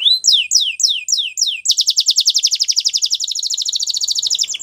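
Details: Singing white Belgian canary opens with five descending whistled notes, then breaks into a long, very fast high trill of even pulses that continues to the end.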